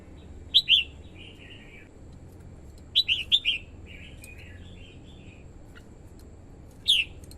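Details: Female red-whiskered bulbul singing to stimulate males and lure wild birds: bright chirpy phrases in short bursts, each a sharp high note falling into a warbled trill, several seconds apart over faint hiss.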